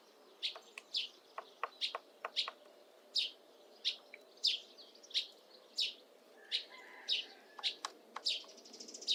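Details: Syrian woodpecker female chiselling her nest cavity in an old apple tree, mid April: scattered crisp knocks, loose and unhurried, mixed with frequent short high chirps from nearby birds.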